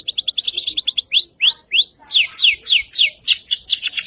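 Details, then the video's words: AFS canary in lively tutoring song: quick high chattering notes, three separate rising upslurred whistles, then a run of loud descending sweeping notes repeated about four times per second. "kenari afs gacor | pancingan & masteran burung"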